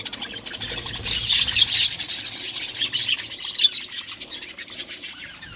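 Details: Colony of budgerigars breeding, with colourful young in a single nest; fast high-pitched warbling and chirps swell, then fade slightly toward the close.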